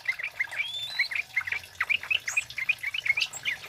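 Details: Male kemade (orange-headed thrush) singing vigorously in the 'cit keres' style, kept for luring birds and tutoring: a fast stream of sharp chirps and short slurred whistles, with a few higher upward sweeps.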